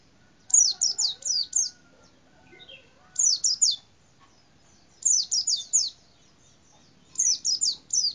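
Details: Pleci, or white-eye, singing in a cassava tree: bright high chirping notes in quick bursts of four or five, each descending, repeated roughly every two seconds with short quiet gaps between phrases.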